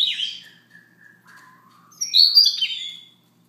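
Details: Siberian rubythroat singing softly in the morning: a scratchy opening note, then thin lower whistles and a falling slur, ending in a dense burst of high twittering notes.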